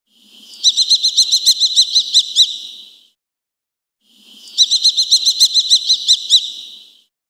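Eurasian kestrel giving two bursts of shrill, rapid kee-kee-kee notes, about ten sharp piercing notes per burst, with no other sounds.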